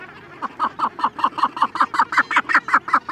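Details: Begging calls from a Cape gannet chick, recorded close, adults calling now and then in the background: a quick, evenly paced series of short harsh nasal notes growing slightly louder, roughly three per second.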